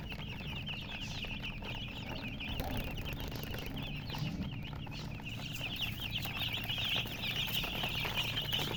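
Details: Baby chickens in a crowded, continuous chorus of shrill, quick, upward-sweeping peeps, several per second, above a low background rumble.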